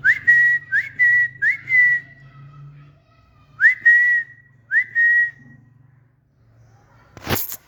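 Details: Pet green parrot sitting on a new table and stand in a garden: clear whistles that rise, then hold a steady tone, given three times in quick succession and twice more after a pause, ending in a sharp click.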